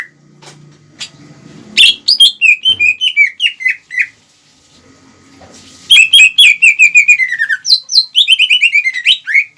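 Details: Greater green leafbird singing to excite rival birds; scattered clicks and a low hum, then a rapid descending run of sharp whistled notes, a pause, and a longer dense chattering burst.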